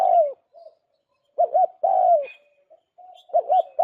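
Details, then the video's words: Lure recording of a spotted dove for trapping birds: a long, slightly falling coo, a pair of quick bubbling notes, another long coo, then a further double note, with a faint high twitter from other birds. "Tiếng chim cu gáy mồi chuẩn"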